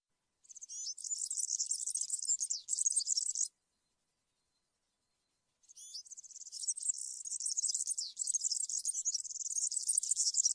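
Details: European serin singing in the campero (field) style, played to tutor young serins: two long bursts of rapid, high, jingling and buzzy twitters separated by a silent pause of about two seconds.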